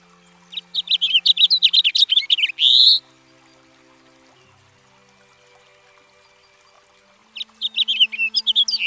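A House Finch sings a rapid, warbling jumble of bright chirps ending in a buzzy rising note, then a quiet pause before the song resumes.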